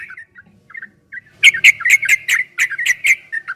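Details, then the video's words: A yellow-vented bulbul's 'ropel' training song, recorded in 2023: a few soft, scattered notes open, then a fast, bright run of bubbly chirps. "Suara burung trucukan MASTERAN TRUCUK ROPEL 2023 TERBARU ‼️PASTI GACOR, TRUCUKAN ROPEL PANJANG"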